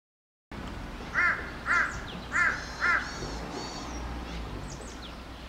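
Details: Crows gathered by the hundreds on utility poles in a village, with more flying together overhead; four loud harsh caws about half a second apart, then softer distant cawing and bird chatter.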